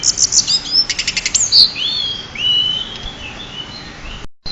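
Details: A prize-winning pied bushchat, recorded as a master for training songbirds, delivers a rapid series of high ticks, a bright squeak, then long, thin rising and level whistles that fade out.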